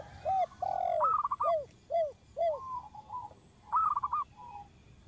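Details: Zebra dove of a local strain, recorded as a lure for trapping: a series of low arched coos followed by quick rolling trills of higher clipped notes, in short bursts with quiet gaps.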